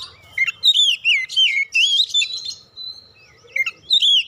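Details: Kacer, the oriental magpie-robin, sings a lure song meant to make birds open their beaks: looping whistles that swoop up and down, a long level whistle, then a few more bright notes.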